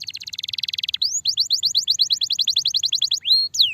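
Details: Starblue canary giving long lively song as training material: an opening fast buzzy trill, then a quick regular run of rising slurred whistles, ending in two longer sweeping notes.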